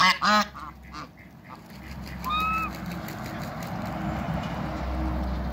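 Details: Backyard African and Toulouse geese: two loud, harsh honks open the recording, followed by a clear rising tonal call near the middle, then a constant low rumble.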